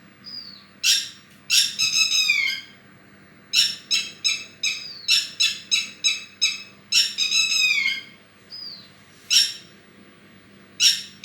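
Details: Bird mixing long, scratchy, downward-sweeping rasps with quick harsh notes in bursts, plus a couple of short thin whistles, with short pauses between phrases.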